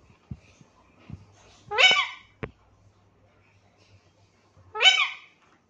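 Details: Caged Alexandrine parakeet talking, reportedly saying "mithu mithu"; two loud, harsh, harmonic-rich utterances about three seconds apart, each rising then falling, with faint clicks and a low hum indoors.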